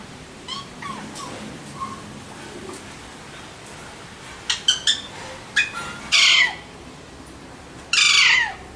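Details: Soft scattered chirps and clicks from Alexandrine parakeets lead up to two loud, harsh squawks about two seconds apart near the end.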